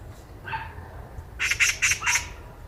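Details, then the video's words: A Eurasian magpie, heard by chance while walking, gives one lower nasal note, then four loud, rough chatter notes in quick succession. "까치 새소리"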